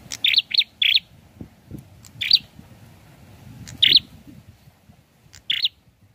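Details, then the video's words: Prinia in lively song: short harsh chips, first three in quick succession, then isolated single notes a second or more apart, over a steady low rumbling background noise. "SUARANYA PLONG ABISS..GACORR || PRENJAK KEPALA MERAH||PRENJAK KLAWU"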